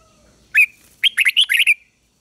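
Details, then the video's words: Decoy red-whiskered bulbul calling rivals to fight: an opening sharp whistle, a brief pause, then a rapid phrase of about six bright, rolling notes that fade out on a long tone. "Chào Mào Mồi Hót Gọi Bổi Về Đấu"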